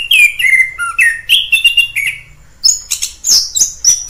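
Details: Wild orange-headed thrush singing: rich varied whistled phrases, some sliding down, others high and sharp, delivered in quick bursts with a short pause midway before a run of bright high notes.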